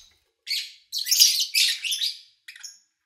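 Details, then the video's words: Lovebirds kept by an owner, recorded in August 2019 with little engine or human noise: several bursts of harsh, high, scratchy chirping with short gaps, ending in a brief faint twitter. "Sounds of Lovebird Chirping"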